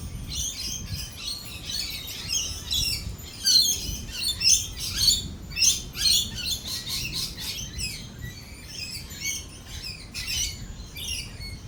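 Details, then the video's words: At a cafe during rolling thunder and lightning, lorikeets build into a loud run of rapid, harsh, shrieking calls in the middle, about two per second, then trail off into scattered chatter. "Lorikeet Cafe, rolling thunder and lightning."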